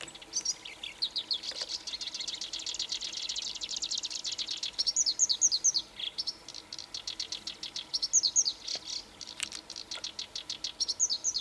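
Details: Black-browed reed warbler singing energetically in Aomori, Japan, in mid-May 2025, shortly after arriving as the latest migrant of the year: a fast, continuous buzzy chatter of high scratchy notes broken by brief clearer trilled phrases.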